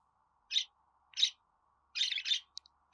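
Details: Budgerigar chirping: two separate squeaky notes followed by a quick double chirp and a tiny click, high-pitched and evenly loud.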